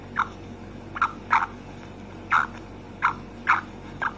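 A female black francolin gives short, harsh mid-pitched notes, about seven in four seconds at uneven intervals, over a faint low hum.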